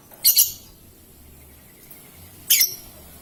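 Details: Paud lovebird, a lure for making other lovebirds sing long ngekek trills: a doubled harsh high chirp, then a long pause and another raspy chirp.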